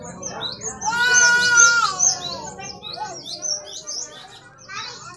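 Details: Great tit in full song, used to provoke other birds: bright high whistles and quick chattering notes, several phrases a second, with overlapping lower buzzy calls suggesting other birds nearby.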